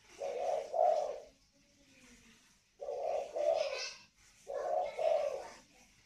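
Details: Spotted doves, a northern Vietnamese pair in the còi vang and thổ xịn styles, kept at a Ba Vì bird farm near Hanoi. Three mellow, hoarse coo phrases, each two-part, separated by short gaps, with faint room noise.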